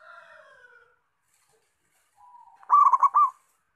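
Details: Actively singing local zebra dove: faint drawn-out whistles from another bird fade out, a soft lead-in sounds, then one loud phrase of rapid, throaty, rolling coos ends the stretch.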